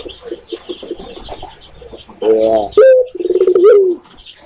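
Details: Spotted dove (tekukur) from Indonesia: faint background chatter at first, then a loud burst of low coos, a rising note and a trembling, pulsed roll with a slight upward lilt.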